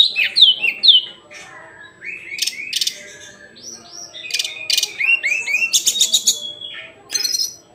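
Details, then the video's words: Hill blue flycatcher (tledekan gunung) in daily song: clear looping whistles at the start, then varied warbling with short rising slurs, sharp high buzzy bursts and quick twittering runs. "Kicauan harian Tledekan gunung"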